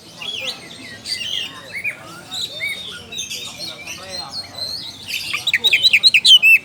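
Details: Oriental magpie-robin calling a rival amid mixed bird chatter: scattered whistles and rasps, building to a fast, loud burst of sharp chipping notes at the end.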